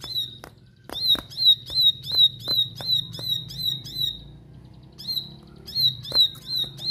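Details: Fierce, insistent song of a bar-winged prinia: a fast series of high, piercing notes about three per second, breaking off for a second before resuming, with dry clicks and low hum behind.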